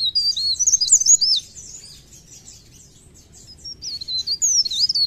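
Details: Mountain leaf warbler (Blerengan or Cikrak daun) singing actively: two rapid bursts of piercing, wavy high twitters separated by a pause of about two seconds, background otherwise quiet.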